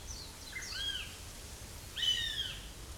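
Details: Fledged juvenile northern goshawk calling near its nest: two drawn-out, slightly descending, harmonic wailing calls about a second apart, thin and high, over faint low background rumble.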